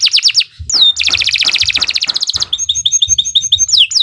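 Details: Canary master song for tutoring young birds: quick descending notes, a sliding whistle, then a long rapid trill and bubbling high chatter, with faint low thumps underneath.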